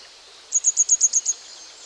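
A juvenile grey wagtail gives a quick run of about seven thin, very high, sharp notes, roughly eight per second, over a faint background hiss.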